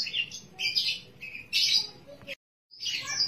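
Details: Bottle-green canary giving an unusual song: bursts of high, scratchy, warbled phrases separated by short pauses, with a brief complete silence near the end.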